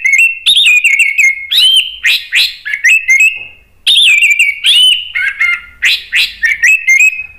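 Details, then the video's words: Orange-headed thrush in agitated full song, used to provoke other birds into singing: loud, rapid, varied whistled phrases, rising then dropping, with crisp clicks between, flowing almost without pause. "ANIS MERAH spontan EMOSI NRATAK terus NGEPLONG ¦ PANCINGAN AM"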